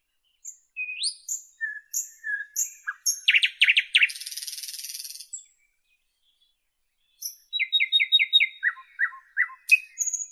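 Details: Singing nightingale: soft rising whistles, then a burst of loud repeated notes flowing into a dry buzzing rattle, a few seconds of silence, and a new phrase of quick descending notes repeated about six times.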